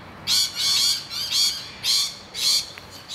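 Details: Screaming from rainbow lorikeets in distress, defending a nest hollow against noisy miners without fighting back: five loud, grating screeches, each lasting a fraction of a second, spaced about half a second apart.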